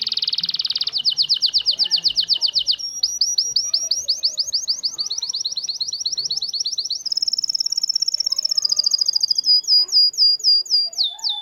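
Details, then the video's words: Syrian local canary song for teaching chicks to sing, a long varied sequence of fast trills and repeated chirps in successive tours, rising higher midway, ending in swooping whistled notes. "تغريد كناري بلدي سوري لتعليم وتحفيز الفراخ على التغريد"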